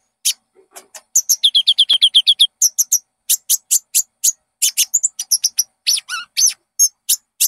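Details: Lure song of a konin (Common Iora) for caged birds: a fast, even trill of bright notes opens, followed by varied sharp chirps and short slurred whistles delivered at a lively, uneven pace.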